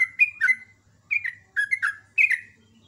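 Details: Morning song of a sooty-headed bulbul, ropel ngecruk style: four clear bursts of gurgling, downward-slurred whistles, each about half a second, separated by brief silences.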